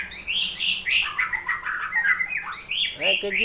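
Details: Long-tailed Aceh white-rumped shama performing a dense showy song with a rich fill: rapid chattering phrases of warbled, slurred notes, almost without pauses, ending in a quick descending trill.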